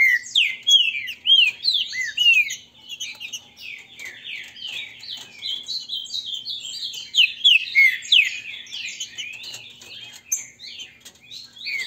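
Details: Green-winged saltators kept by a Brazilian breeder, singing a grego mole versus boiadeiro dispute meant to warm up birds. Bright, slurred whistles pour out in rapid overlapping phrases, loud at first, then a steady, busier chatter.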